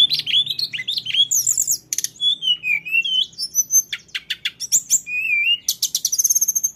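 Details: Lesser shortwing, tledekan gunung, singing its rolling 'ngeroll' song: continuous high, wavering whistles and tumbling slurs mixed with sharp clicks, closing with a rapid, bright trill.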